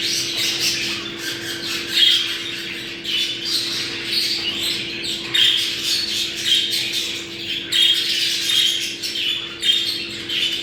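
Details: Mating call of budgerigars, played to bring birds into breeding condition: rolling, scratchy group warbling with bursts of sharp chirps, steady mains-like hum throughout.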